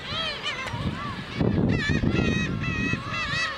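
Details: Black-tailed gulls being fed by a man at Ōkuki, Hachinohe, Japan, 9 June 2013, sunny with later fog. Scattered nasal, mewing cries rise and fall over a low rumbling background, with a few people's voices.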